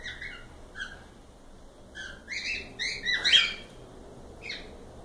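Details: Several cockatiels chattering in soft whistled chirps that build into a quick series of louder, buzzy squawks, then one final chirp.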